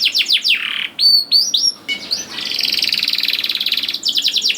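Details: Canary lure song to make young canaries sing; quick descending notes, a pair of hooked whistles, then a long fast rattling roll and a final burst of sweeps.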